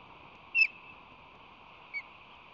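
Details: Osprey nestlings, two chicks five and six days old in their first week in the nest, May 2022, when preening and sibling fighting begin; two short, sharp high chirps about 1.4 seconds apart, the first louder, over a steady background hiss.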